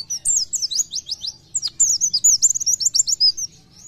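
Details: An Oriental white-eye in full song, used to spur other white-eyes into singing, gives a rapid, high, tinkling warble of quick chirps and short trills for about three and a half seconds, with only a faint low hum behind.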